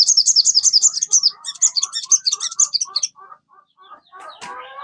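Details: Sogon singing, recorded as a lure to set a kept sogon singing: a long, fast, high chattering trill with soft lower notes beneath, fading into sparse low notes and a brief noisy burst.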